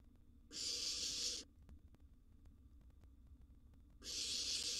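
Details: Wild barn owl chick in a nest box at feeding time with a gerbil: two loud rasping hisses, each roughly a second long, spaced about three and a half seconds apart, with faint ticking between.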